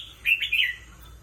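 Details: A red-whiskered bulbul, a caged competition songbird, gives one brief, bright phrase of two or three quick, warbling notes, liquid and mid-high, over a quiet background.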